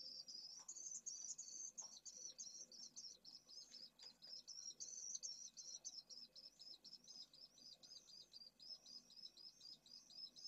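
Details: Pallid swifts at nests in a building drum in Jerez de la Frontera, Spain, late May 2022, with eggs and well-grown chicks, give dense, high, buzzy twittering, about three or four chirps a second, almost without pause over faint hiss.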